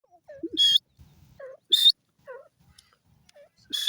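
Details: Desi Pakistani grey francolin (teetar) calling: loud harsh bursts high in pitch, repeated roughly every second and a half, with softer lower notes between.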